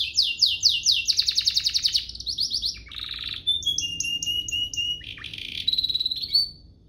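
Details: Domestic canary song used as a master tutor for young canaries and to prompt singing: fast buzzy trills of repeated notes, then varied clear whistles and rolling phrases in a rich sequence. Clean recording without other sounds.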